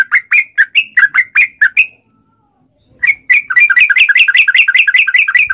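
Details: Gacor trucukan (yellow-vented bulbul) with long ropel song, a lure to get caged bulbuls calling back: a string of clear chirped notes, a one-second pause, then a quicker, denser chattering run.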